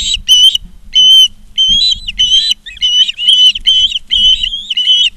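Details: Loud, shrill whistled calls from Ospreys at a Charlo, Montana nest cam, 19 August 2023, 16:05, rise into steady, slightly wavering notes repeated in short bursts, close to the microphone.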